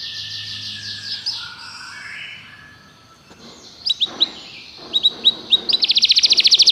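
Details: Belgian canary singing as a tutor (professor) bird: a faint, hazy start, then sharp high chirped notes and a fast, buzzy high trill that builds toward the end.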